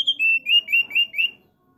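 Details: A male thick-billed white-eye sings a quick series of six bright whistled notes, each slightly rising and falling, delivered in under two seconds, then falls silent.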